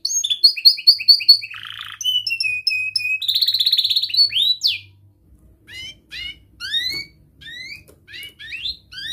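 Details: Young domestic canary singing tight rolls and chirps, a tutor song for juvenile canaries learning to sing. Rapid descending whistled notes repeated, a buzzy burst, steady high trills near four kilohertz, then sharp separate upswept chirps after a brief pause.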